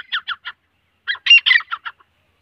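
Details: Grey francolin, known locally as teeter, male and female calling: a quick run of three scratchy, shrill notes, a pause, then a louder burst of grating, squealing notes trailing off into short chips.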